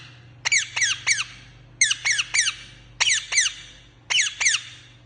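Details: Indoor green parrot uttering shrill squeaks in clusters of two or three, each note sliding sharply downward, the clusters about a second apart, with a constant low electrical hum underneath.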